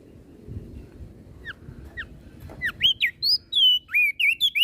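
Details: Crested white-eye of Flores in full song, meant to stir up listening birds: two soft downslurred notes, then a loud, quickening run of rich, warbled whistles with varied rising and falling turns.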